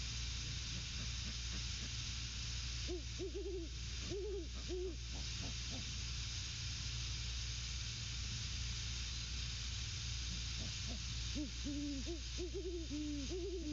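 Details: Great horned owls at the nest at night, 12/06/22 21:50, a mated pair trading hoots and grunts. Two bursts of deep, clustered hoots come around three to five seconds and again near eleven to thirteen seconds, over constant hum and hiss.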